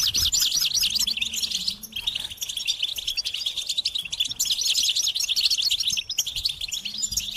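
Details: Goldfinch song in two long bursts of rapid, wavering high twitters and trills, separated by short gaps near the two-second and six-second marks.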